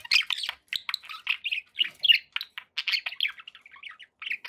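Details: Cheerful budgie chatter from pet birds: rapid clipped chirps and scratchy twitters, evenly spaced, some notes slightly higher and whistled.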